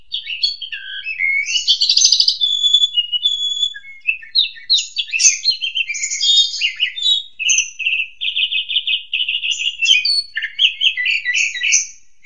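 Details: Extended ngentrok therapy song of an Asian pied starling: a rich jumble of whistles, chatters and slurred notes, with fast trills and rattling phrases throughout.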